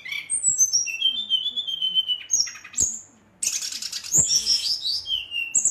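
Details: Agitated Brown-chested jungle flycatcher sings a rolling song to provoke rivals: descending whistled slurs and long level whistles, a brief pause, then a dense burst of harsh, buzzy high notes.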